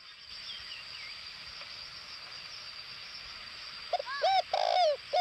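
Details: Spotted dove used as a decoy bird in northwestern Vietnam. After a long stretch of background hiss and a steady high whine, a loud burst of short, hoarse, arching coos arrives near the end.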